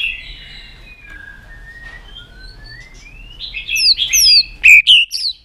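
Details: White-rumped shama song meant to stimulate rival shamas: soft drawn-out whistles rising slowly, then a loud burst of high sharp whistled notes and clicks near the end.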